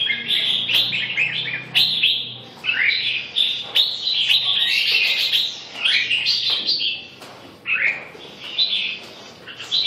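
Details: Red-whiskered bulbul delivering a lively, continuous string of bright warbled and whistled notes, with quick slurred rising and falling phrases, brief pauses between bursts, and sharp clicks and knocks over a soft low hum.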